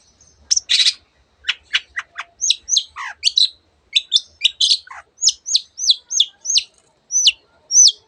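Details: Long-tailed shrike singing a varied, mimicking song: a buzzy burst and sharp clicks, then a steady run of identical high whistled notes, each dropping in pitch, repeated roughly every third of a second near the end.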